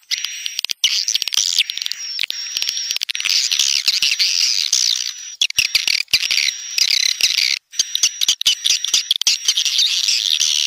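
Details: Edible-nest swiftlet dusk lure sound, known as tarik senja, created for calling swiftlets: a dense, continuous buzzy twittering chatter with brief gaps, overlaid by a steady thin high tone.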